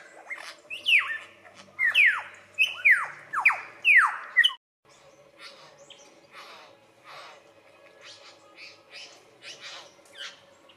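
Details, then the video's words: Lyrebird in Australia imitating other birds during its courtship dance: a rapid run of six loud descending whistled swoops, then a pause and a scatter of softer clicks and chips. "Australian Lyrebird magnificent calls"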